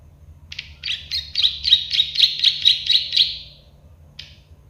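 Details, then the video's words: Plain prinia (prenjak sawah, klik-klik bird) song used to tutor other birds: a fast series of about ten buzzy, ticking notes, roughly four per second, ending in a trailing buzz and one stray note. "Masteran burung prenjak sawah klik-klik"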